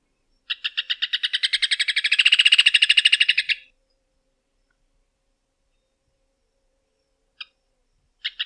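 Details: Rufous hornero, also called João de Barro or Maria Barreira, singing a loud chattering run of sharp repeated notes that speed up and swell, lasting about three seconds, followed by silence and two isolated single notes.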